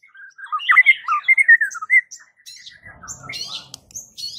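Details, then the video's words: White-rumped shama with a unique song said to set the village's shamas calling back; warbled whistled run of rising and falling notes, then quieter scratchy sounds with faint low background noise. "Suara uniknya jadikan MURAI BATU sekampung NYAUT GACOR dak MAU DIEM"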